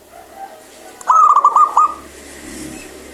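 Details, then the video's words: Vigorous local zebra dove gives a burst of about six fast, bright, clipped notes in under a second against a faint background hum. "PERKUTUT LOKAL GACOR SUARA BENING"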